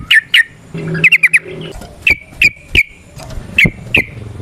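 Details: Sooty-headed bulbul, caged, used as a lure song to spur other bulbuls: sharp downward chirps, a quick burst of four notes, then evenly spaced single chirps about every third of a second, over faint low hum.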